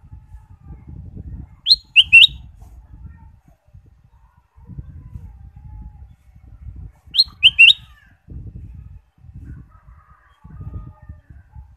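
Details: Ruby-throated bulbul stimulus song for caged birds: a crisp three-note whistled phrase delivered twice about five seconds apart, each a rising note then two lower slurs, with steady low rustling noise between.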